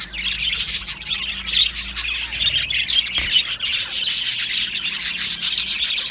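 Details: Colony of Australian budgies chattering loudly in an aviary: unbroken high warbling and chirping from many birds at once, bright and busy throughout, over a soft low hum.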